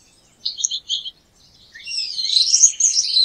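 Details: Gouldian finch gives two short buzzy chirps, falls silent for a moment, then breaks into a louder run of high, scratchy, wavering song notes.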